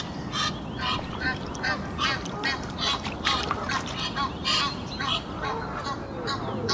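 Egyptian goose giving a rapid, uneven run of harsh, raspy honks, roughly two a second, over a steady background rumble.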